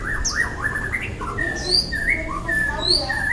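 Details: Young wild white-rumped shama giving a varied string of quick whistles: rapid up-down slurs at the start, then separate sliding notes at differing pitches, some very high and thin.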